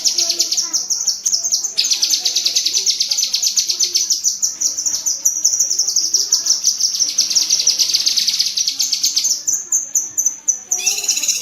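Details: Fast, continuous cerecetan chatter from a cucak kinoi bulbul: a long run of high, crackling notes broken by one short gap, then a few clearer whistled notes near the end. Used as training audio for pet birds.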